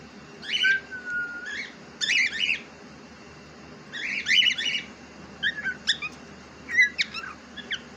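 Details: Pet cockatiel, described as talking, opens with a long level whistle, then gives grating chirp bursts every second or two and sharp short squeaks near the end.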